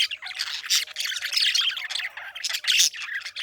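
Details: Loud parakeet chatter of harsh squawks and buzzy chirps, nearly continuous with a few sharp peaks.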